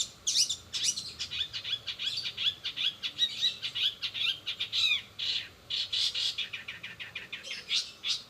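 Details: Cendet, the long-tailed shrike, singing rapid 'rol spid' style filled with imitations of sparrow, sogon and canary: dense, jumbled chattering of clicks, squeaks and upward-curving twittered notes, packed with almost no pauses.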